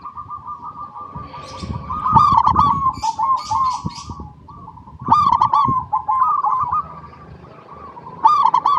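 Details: Zebra dove song used as a lure to get other zebra doves singing; soft continuous cooing trill broken by louder stuttering bursts about every three seconds, with some clattering knocks in the background.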